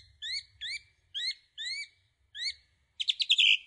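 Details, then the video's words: Song thrush singing: a clear rising whistled phrase repeated five times at even spacing, then a quick, dense burst of high twittering notes; a faint low rumble underneath. "Thrush bird song"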